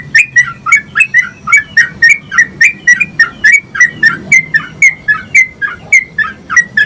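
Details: Yellow-vented bulbul chattering nonstop to stimulate other bulbuls to sing, a long run of about twenty quick, gurgling, slurred notes in seven seconds, evenly paced, over a soft low rumble.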